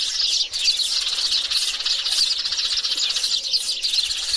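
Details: Sparrows, males and females together, in a high, dense chirping chorus of overlapping tweets, steady throughout with small swells in loudness.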